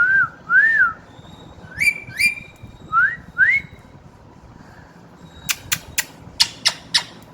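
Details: Newly whistling pet parrot gives a rising-falling whistle pair, then four upslurred whistles in twos, ending with a series of crisp clicking taps.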